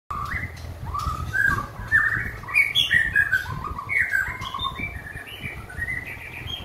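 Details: White-rumped shama that has completed its moult, singing a varied run of clear whistled phrases that rise and fall, with short rich notes and a few sharp higher accents, over a low steady hum in the background.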